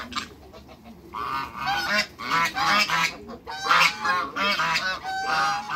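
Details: Six African and Toulouse geese meeting new geese: after a quieter opening second, a run of loud, brassy honks about once a second, overlapping toward the end.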